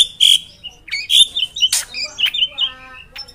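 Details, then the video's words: Drongo in full, lively song: a varied string of short whistled notes and slurred phrases mixed with harsh, raspy squawks, delivered in uneven bursts with brief pauses between them. "Srigunting gacor ngeroll panjang"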